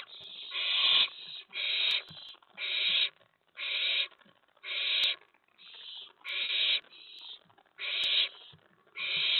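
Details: Nighttime nest box owlet, stirred up by another owl or owlet landing on the tray after a mouse delivery, producing a steady series of ten coarse, breathy screeches, roughly one each second, with occasional faint ticks.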